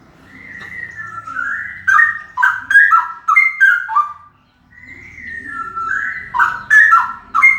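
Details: Male straw-headed bulbul singing very loudly: two bursts of rich, liquid, bubbling whistled phrases that step up and down in pitch, separated by a short pause and a quieter rising whistle.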